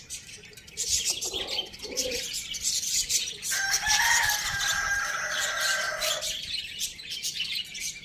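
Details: Rooster crowing on a farm in a village: soft clucks lead into one long, loud, drawn-out crow lasting about three seconds, strong and harmonic, ending in a falling note, over steady twittering of small birds in the background.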